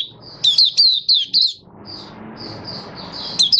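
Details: Malaysian Oriental white-eye, a kept songbird in happy buka singing, February 2023: a quick run of five bright descending whistled notes, then softer high chattering twitter ending in another sharp slurred burst.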